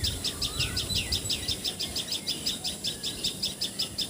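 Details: In Assam, India, a common tailorbird (Assamese patxhia sorai, tiposi sorai) repeats bright, sharp high notes in a rapid even series, nearly three each second, while another bird gives faint lower sliding whistles.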